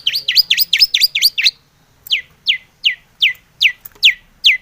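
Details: Long-tailed shrike in energetic full song, used as a lure to get other shrikes singing; a fast run of rising-falling slurred notes, then sharp downslurred whistles repeated about every 0.35 seconds.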